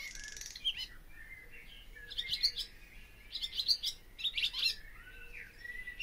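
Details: Barn swallow twittering in short spaced bursts of sharp chirps and slurred whistles, with brief quiet gaps between phrases and a soft buzzy note near the start.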